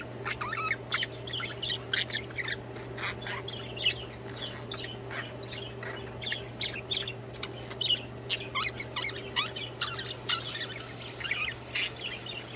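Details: Budgerigars singing together, a continuous chatter of quick high chirps and clicks with short squeaky bursts, over a steady background hum.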